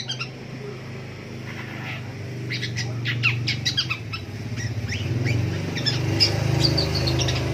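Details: Long-tailed shrike singing in the morning: a rapid jumble of sharp, high chips and short downslurred notes, thickening after the first two seconds, over a steady low hum.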